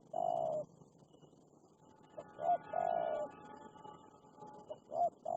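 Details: Wild spotted dove reacting fiercely to a captive decoy dove, giving low, hollow coos, each a short pair of clipped notes followed by a longer, drawn-out coo, repeated with quiet gaps.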